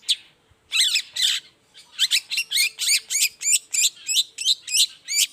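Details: Long-tailed shrike singing vigorously in the morning as a lure for other shrikes: two harsh, rasping bursts, then a fast regular series of buzzy, scratchy high notes, about three per second, loud and dry.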